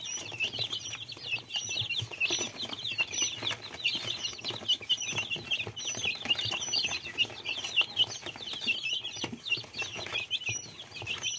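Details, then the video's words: Young domestic chicks peep nonstop, a dense chorus of short, high, overlapping cheeps with faint background rustling. "Маленькие цыплята \Little chicks"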